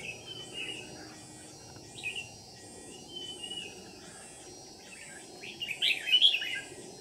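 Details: Red-whiskered bulbul singing Ché style as a trapping lure, 13 May 2019: mostly faint, sparse warbled notes that build into a louder, tumbling phrase of chirps near the end, against background hiss.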